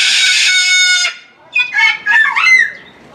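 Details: A Moluccan (salmon-crested) cockatoo at Omiya Park Small Zoo, Japan, in December 2017, gives one long, harsh, rasping scream, then after a short pause several shorter, hoarse squawks rising and falling in pitch.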